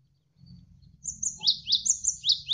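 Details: Javan sparrow song recorded as a tutor track for training songbirds, with flowing water behind: a run of sharp, high, downward-slurred chirps in quick succession, alternating with thinner higher notes, over a low watery rumble.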